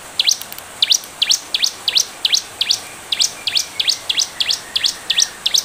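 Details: Bar-winged prinia in lively full song, used as a lure to prompt other prinias to respond: rapid series of sharp high rising-falling chips, about three a second, steady and insistent.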